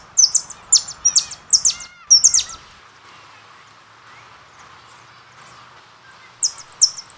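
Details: European goldfinch (jilguero) from a goldfinch song-contest recording, singing in quick bursts of bright, tinkling, high twitters and buzzy trills, broken by short pauses and single clipped notes.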